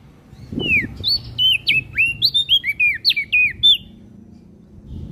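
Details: Olive-backed tailorbird song for training cage birds: one brisk phrase of about a dozen high, crisp, downslurred whistles, then quiet background noise.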